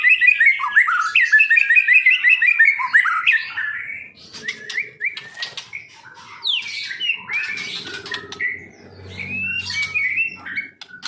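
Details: White-rumped shama of the Medan type, an owner's bird being taught to imitate: a rapid rippling warble, then scattered sharp chirps and clicks with brief rustling or wing noise.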